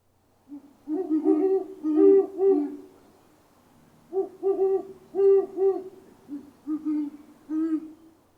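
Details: A breeding pair of Great Horned Owls duet in deep, soft, stuttering hoots, two bouts of five or six notes each, the female's higher voice overlapping the male's deeper one.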